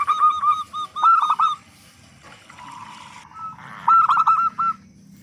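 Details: Loud local zebra dove song played as a lure for other doves to start singing. Two strong phrases of rapid, clipped coos open and close the recording, with softer drawn-out cooing in the quieter middle.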